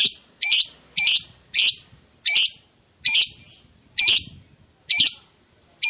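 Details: Lovebird heard on a lure recording meant to make other lovebirds answer with long ngekek: loud, harsh, buzzy screeches repeated at uneven intervals of about half a second to a second.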